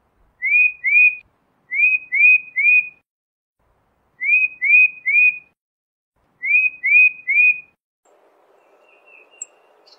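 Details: Tufted titmouse whistling clear, downslurred notes in tight groups of two or three, each group spaced about two seconds apart, four groups in all, followed by faint background noise and a distant high chirp.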